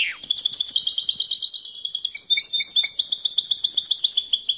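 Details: European goldfinch hybrid mule in powerful song, a dense unbroken stream of high, rapid twittering trills and liquid chirps, with rolling repeated notes and no other sounds.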